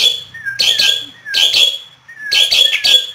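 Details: Asian pied starling, hand-teased and singing strongly, Yogyakarta: a falling clear whistle leading into a double harsh screech, repeated three times in quick succession.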